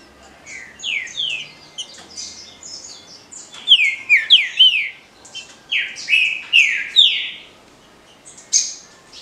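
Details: Green-winged saltator (Saltator similis) sings loud, rich whistled phrases of slurred, falling notes in quick bursts with brief pauses, over a faint background hum.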